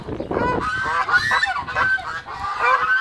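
A goose honks repeatedly, harsh nasal calls with strong harmonics, several in quick succession over a few seconds, with no other clear sounds.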